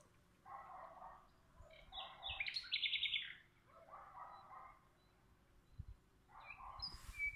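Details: Common nightingale singing in a duel with another nightingale close by. Low chattering phrases surround a brief, bright, rapid trill in the middle, with more low notes toward the end.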